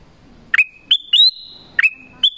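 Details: Vocal Black-crested bulbul lure call for wild birds: five clear whistled notes in about two seconds, some falling into a flat tail, one held slightly longer and higher.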